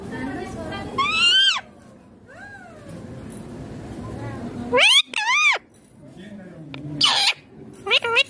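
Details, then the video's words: Green Indian ringneck parakeet kept as a pet, giving loud harmonic rising-falling squawks in separate bursts near one, five and seven seconds, with quieter arched calls and faint background hum between them. "Indian ringneck green parrot talking clear sounds/voices"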